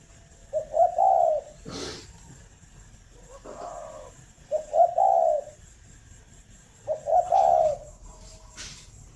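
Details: Morning cooing of a captive spotted dove at a Ba Vì bird farm, Vietnam: four soft, low coo phrases, each a few clipped notes ending in a longer hum, separated by brief knocks and sharp clicks.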